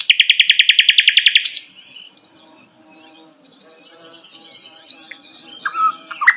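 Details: Bulbul, known locally as Sikatan Londo, opens with a rapid series of about fifteen evenly spaced clicking notes, then a quieter pause followed by scattered whistled and slurred notes.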